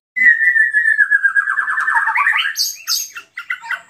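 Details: White-rumped shama singing an emotional provoking song meant to draw other shamas into song; a long sustained whistle slides into a fast warbling trill, then ends in high sharp chips and short notes.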